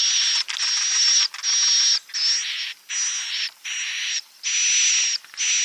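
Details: Lure sound for drawing swiftlets in to roost: a run of long, harsh, hissing buzzes, each about half a second to a second long, separated by short gaps, with a thin high whistle running through them.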